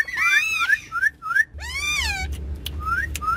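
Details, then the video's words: Pet ringneck parrots in the back seat of a car, chattering and playing, make short rising whistles, a loud arched squawk, then more clipped upslurs over a low hum. "Cute Ringneck Parrots Talking And Having Fun On Car Back Seat"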